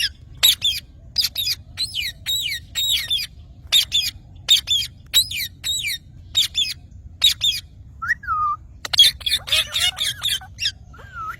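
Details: Green parrot giving a fast series of short, harsh, noisy squawks, each about a quarter second long and repeated roughly twice a second, then a few whistled downslurred notes and more rasping calls near the end.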